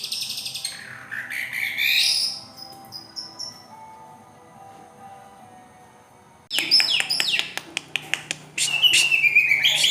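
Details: Long-tailed shrike singing: a burst of high buzzy, sweeping chirps and a rising note, then a quiet stretch with faint thin tones, followed by a loud run of sharp clicking notes and a high warbled trill.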